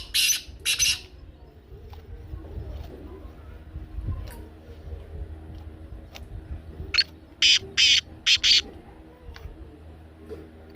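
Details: Two short harsh notes from a black francolin open the recording. After a long quiet stretch comes a tight run of five buzzy, grating syllables near the end.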